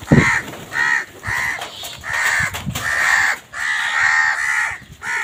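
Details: Crows fighting over food, giving loud harsh caws in a rapid series of drawn-out calls, about eight in five seconds, with short gaps between them and faint background noise.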